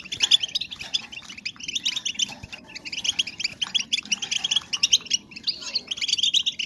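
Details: Female European goldfinch voices used to stimulate breeding in males: a busy stream of high, liquid twittering chirps in clustered runs, with brief pauses between bursts and a quiet background.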